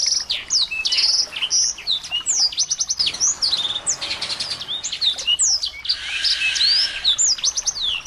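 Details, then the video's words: Mixed small birds singing together, used as tutor and lure audio to stir a white-rumped shama into song: dense, overlapping high chirps, sweeping whistles and rapid trills, with a brief change in background near the middle. "masteran burung kecil agar murai batu gacor AMPUH buat PANCINGAN murai batu agar bunyi EMOSI"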